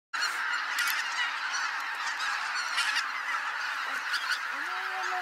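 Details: Wild geese (雁) taking flight at dawn at Kabukuri-numa marsh, Japan: a dense, continuous chorus of honking from a large flock, overlapping nasal calls filling the whole clip without pause.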